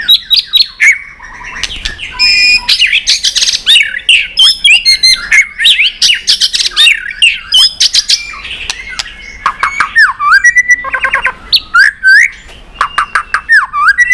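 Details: White-rumped shama singing a long competition song of many wild-style phrases, tail flicking: a dense unbroken stream of varied whistles, chatters and clicks, with rich slurred notes running for fourteen seconds.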